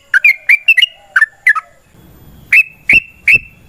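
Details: Yellow-vented bulbul fighting song used as a lure to make other birds sing: a quick burst of bubbly notes, a short pause with low rumbling noise, then three separate emphatic slurred notes.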